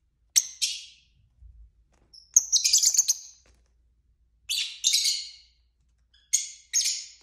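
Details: Several pet lovebirds of both sexes chatter in quick high chirps and scratchy, buzzy twittering runs, coming in irregular bursts with brief quiet gaps.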